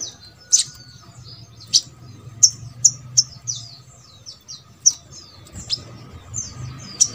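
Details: Little spiderhunter, recorded as a lure to make others of its kind sing: sparse, thin, high sharp chips and short slurred notes spaced irregularly roughly every second, over a soft low hum.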